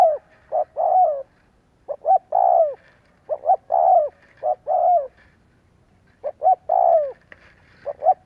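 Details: Lure cooing of spotted dove meant to set wild doves cooing: closely spaced, partly overlapping phrases of two clipped hoots and a long falling coo, continuing with barely any pause.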